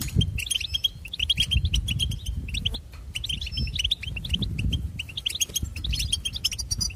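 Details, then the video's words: Goldfinches sing a rapid, tinkling jumble of high twitters and liquid notes in bursts, over a low rumble of background noise. "Goldfinch Serenade"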